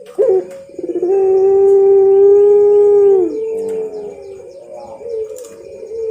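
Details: Puter pelung dove master song from a champion bird. A brief rolling note leads into a long, level coo of about two seconds that drops at the end. Shorter wavering coos follow.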